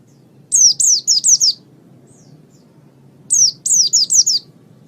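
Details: Oriental white-eye singing on a master recording for training birds. Two quick bursts of four or five high, sharply descending whistles, separated by about two seconds of quiet. Faint low background hum.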